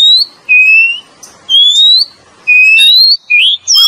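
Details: Male and female Oriental magpie-robin lure song: slow, clean whistled notes, each sliding gently up or level and lasting about half a second, spaced by brief pauses, with a few quick chirps at the end.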